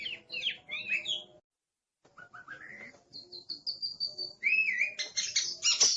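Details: Aggressive Oriental magpie-robin (kacer) singing: curving whistled notes, a pause, rising low whistles, a run of repeated high notes, then a loud harsh burst at the end.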